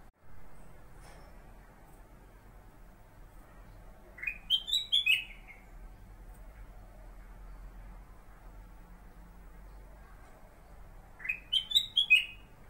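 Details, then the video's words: Caged kutilang emas bulbul (Pycnonotus melanicterus), used as a tutor for white-rumped shamas, repeats the same brisk phrase of four or five liquid, rolling whistles twice, about seven seconds apart, against a low steady room hum. "BURUNG "KUTILANG EMAS" KU BERBUNYI...SUARA MASTER"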